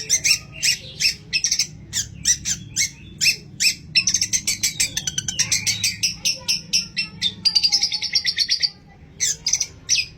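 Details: Long-tailed shrike in aggressive full song, used as a lure to make other shrikes sing, with mimicked sparrow fighting calls: rapid, varied, high chattering bursts and harsh notes, a fast buzzing trill near the end, over low background rumble.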